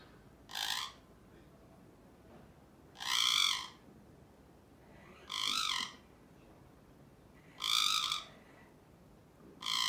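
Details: A male Alexandrine parakeet gives loud, harsh, rasping squawks, each about half a second long, repeated every two to three seconds against a quiet background.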